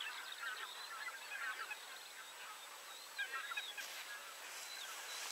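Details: Common cranes at 52.199378, 19.789440 in Poland calling together in a dense, continuous chorus of overlapping rolling, trumpeting notes, many birds at once with no single voice standing out.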